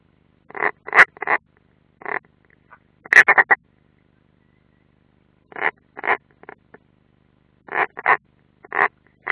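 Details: At its nest in Latvia's Ādaži military training area on 30 June 2016, an unringed European roller gives scattered clusters of two to four rough, rasping croaks, separated by brief pauses.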